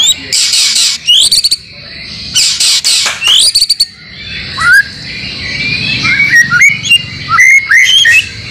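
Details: White-rumped shama master song for getting caged birds to sing, mixed with other birds' material. Harsh, broadband scratchy bursts open, then clear slurred whistles and chirping notes follow in a lively, irregular sequence.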